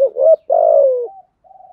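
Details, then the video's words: Fragment of spotted dove cooing in the 'giọng thổ' voice, used to stir a decoy bird: a short rising hoot followed by one long mellow coo that slides gently downward, then faint trailing murmurs. "chim cu gáy giọng thổ bài bản thúc gù, chim cu gáy đất bài bản gù thúc, chim cu gáy kích bổi"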